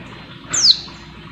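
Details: A female Oriental white-eye's call meant to excite a male: one piercing high whistle dropping in pitch, brief and clean, with quiet background noise.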